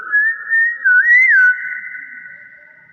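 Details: Common hill myna calling in its natural voice: one long, steady, clear whistled tone with a quick rising-and-falling twist near the middle, fading out slowly.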